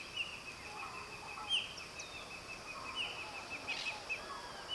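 Pionus parrots give brief, harsh screeches at irregular intervals, with one louder burst near the end, over a steady high insect-like drone.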